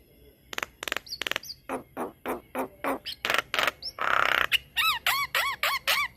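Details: Javan myna pouring out a long rolling song as a tutor for other mynas: evenly spaced buzzy notes, a dense harsh burst, then a row of looping arched whistles.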